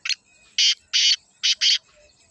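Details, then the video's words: Harsh, scratchy black francolin call from Pakistan, a clipped opening note followed by four loud rasping notes grouped in two pairs, each note broad and buzzy. "کالے تیتر کی آواز | Black Francolin Beautiful Call"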